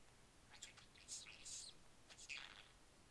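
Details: Pet budgerigar perched on its owner's head while being coaxed to talk, giving quick, scratchy high chirps in short bursts with a brief pause between them.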